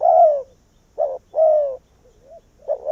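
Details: Decoy spotted dove of Vietnam calling in wild doves to its tree: a long falling coo, a short clipped note, another long falling coo, then a soft low note and a rising double coo.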